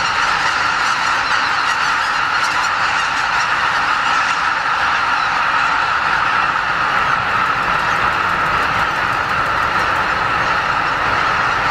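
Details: Roughly 80,000 greater white-fronted geese leave their pre-dawn roost at Lake Miyajimanuma, a Ramsar wetland in Bibai, Hokkaido, during spring migration north. A dense, unbroken roar of overlapping honking calls forms a steady wall of sound.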